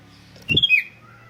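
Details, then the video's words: Sooty-headed bulbul, a recording meant to stir other bulbuls into song: one short bubbly whistled phrase of three slurred notes, first rising then dropping, opening with a soft thump and followed by a low steady hum. "100% RANGSANGAN SUARA ASLI KUTILANG || DIJAMIN BIKIN KUTILANG LAIN IKUT BUNYI GACOR ROPEL"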